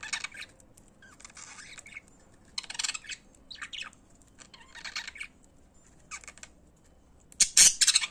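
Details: Pet budgerigars singing: scattered bursts of harsh, scratchy chirps and squawks in short clusters, separated by quiet gaps, ending in a loud rasping burst.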